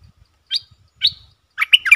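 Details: Streak-eared bulbul used as a decoy to draw in wild birds, 3 June 2021; two separate sharp, slightly rising chirps, then a fast bubbling cluster of four notes, with soft low knocks underneath.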